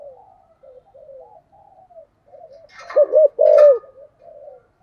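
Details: Decoy spotted dove cooing in the 'thúc gù' style: soft rippling murmurs run throughout, broken near the middle by two short coos and a longer loud coo, with a brief rustling noise over the first.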